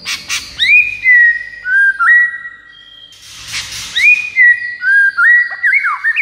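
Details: Luring song of a white-rumped shama aimed at rival birds: sweet, drawn-out whistles sliding up and down, a short pause with a scratchy burst, then quick slurred whistled notes stepping downward.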